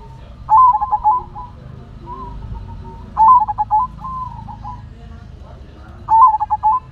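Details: Silver zebra dove, a local kept songbird, giving three song phrases roughly every three seconds, each a fast stuttering cluster of notes followed by drawn-out level coos, with quieter coos between phrases and faint low background noise.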